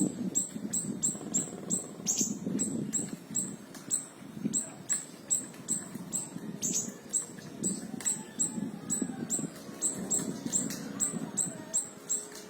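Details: Tembakan song of siri-siri kecil (small minivet), played as tutoring material for other songbirds: rapid, piercing high notes repeated continuously over a soft low rumble.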